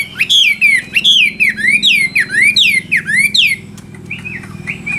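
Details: Chinese hwamei repeating a bright, descending whistled phrase about once every half second, strong and ringing, fading into quieter notes near the end.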